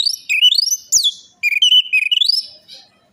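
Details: Orange-headed thrush song used as a lure to coax a silent or stressed bird into singing: loud, varied whistled phrases sliding up and down, with rising sweeps and rapid warbled notes in bursts, clean and without background noise.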